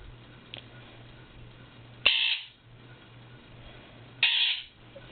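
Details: Indoor pet Quaker parrot squawking on a morning before 8am to rouse its sleeping owner: two loud harsh screeches about two seconds apart over a faint steady low hum.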